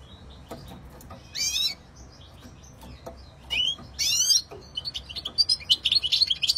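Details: European goldfinch giving scattered high chirps and a couple of buzzy, nasal notes, then a quickening run of twittered notes at the end.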